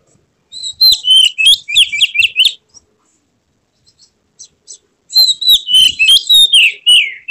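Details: Oriental magpie-robin (kacer) singing in an emotional display with tail spread, used to draw a response from other magpie-robins: two loud bursts of rapid, sharp whistled notes separated by a quiet gap with a few soft ticks.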